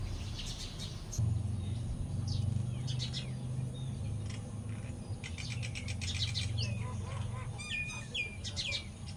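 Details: A Common Myna singing in a village (Thailand) gives a varied jumble of sharp clicks, chattering notes and bright whistles, some sliding down in pitch, over a steady low rumble.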